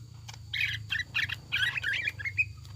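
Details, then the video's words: Greater green leafbird lure song with tengkek buto mimicry, meant to make a kept leafbird sing actively: a rapid run of squawky chirps and short rising and falling notes over a steady low hum. "PANCINGAN CUCAK IJO GACOR JAMTROK NGEKEK ISIAN TENGKEK BUTO DAN LAINNYA"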